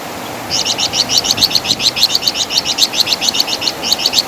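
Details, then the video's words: Wergan Jawa, the flamboyan bird of West Java, in a training master track: after half a second of hiss, a steady fast train of high, rasping chirps runs to the end without pause. "Masteran Suara Burung Flamboyan | Wergan Jawa"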